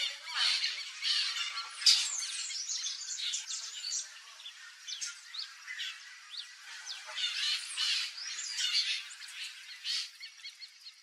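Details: Turquoise-fronted parrots in the wild in Brazil, in wooded natural habitat. Rough, grating squawks and shorter chattering notes come in irregular bursts, about one per second, louder near the start and fading somewhat later on.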